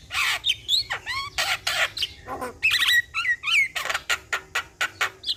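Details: Asian pied starling in lively full song, played as a lure for a stressed starling: harsh broadband rasping bursts alternate with sharp rising and falling whistles, in a fast, uneven series of loud notes.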